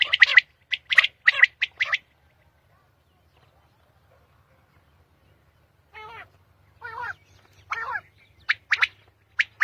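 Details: Early-morning common quail in Pakistan: a quick run of sharp three-note phrases, a silent stretch, then several softer wavering, nasal rising notes before crisp phrases resume.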